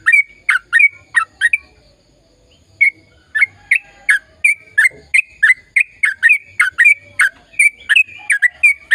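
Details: Vigorous sooty-headed bulbul song, a long rolling sequence meant to stimulate silent birds: a few fast chirps, a pause of over a second, then a steady stream of sharp, slurred notes roughly three per second.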